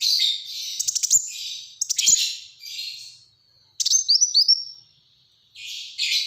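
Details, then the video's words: Buzzy high trills and clicks, then a neat sequence of descending whistled notes, from a Black-throated sunbird singing tight rapid-fire 'gacor' phrases with brief silent gaps. "Burung Kolibri Wulung Gacor Tembakan Rapat"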